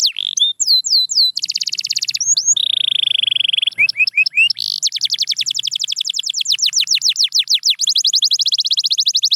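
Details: Canary song for getting a quiet canary singing: looping whistled sweeps, a held buzzy note, then long stretches of rapid repeated trills and falling whistles.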